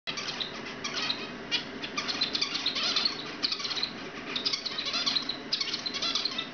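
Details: Several two-month-old zebra finches, lively and curious, sing at once, mixing high, buzzy, nasal notes with quick chirps in a continuous overlapping jumble with no pauses.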